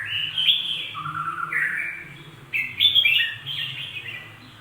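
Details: Singing bulbul delivering rich, warbled whistled phrases that slide down and back up, in two runs separated by a brief pause, over a low background hum.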